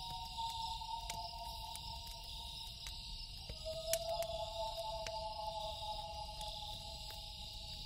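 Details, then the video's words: Loon at night holding long, drawn-out wail notes that drop in pitch partway through and then stay level. A campfire snaps and crackles over a steady high insect drone. "Loon Call"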